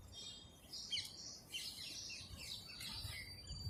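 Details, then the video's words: Several sparrows chirping while eating food, a busy overlapping chatter of short, bright, high notes over a low rumble of background noise. "Sparrow Chirping Sound Sparrow Birds Eating Food amp Chi"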